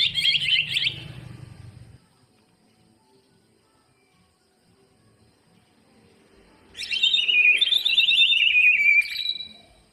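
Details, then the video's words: Greater green leafbird song, meant as a lure to coax lazy birds into singing: a short burst of rich warbling, a long silence, then a sustained run of rapid slurred whistles and trills falling and rising in pitch. "burung cucak ijo full isian buat pancingan yang malas bunyi"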